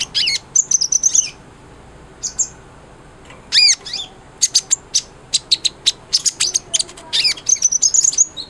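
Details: Sunbird song, offered as a model for training white-rumped shamas: very high, thin chirps and sharp ticking notes in short rapid clusters, separated by gaps, with a low steady background hiss.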